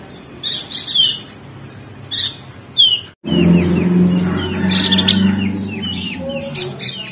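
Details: Crested white-eye from Lombok, West Nusa Tenggara, in ngeriwik style for training lazy singers. Buzzy chatter bursts and a sharp whistle come before a brief break. A low hum then runs beneath a cascade of quick downslurred chirps.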